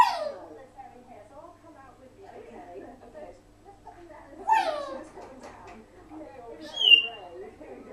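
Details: African grey parrot kept as a pet, recorded alone in a room while its owners were away: quiet murmured speech-like babble with a loud falling squawk at the start, another midway, and a sharp high whistle near the end.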